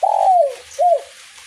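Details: Spotted dove in light drizzle giving the end of its kuk 1 phrase: a long drawn coo falling in pitch, then a short rising-falling coo.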